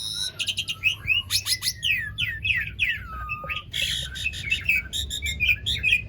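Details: Asian pied starling song for prompting silent starlings to sing: energetic sequence of sharp descending slurs, raspy notes and short whistles delivered rapidly, with a longer falling whistle midway.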